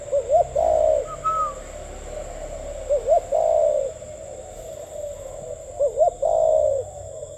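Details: Cu khách spotted dove giving its gù tít coo three times, about every three seconds: two short bouncing notes, then a longer falling coo, loud and clear over a constant low hum.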